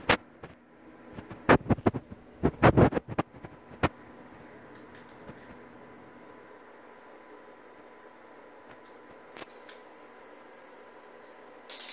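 Sharp taps and knocks fill the first four seconds, then only a quiet, steady indoor hum remains.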